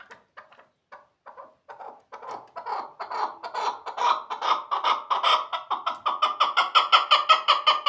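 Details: Chukar partridge at Shahrituz: scattered soft clucks that gradually speed up and swell into a loud, steady, rhythmic series of harsh chuk notes.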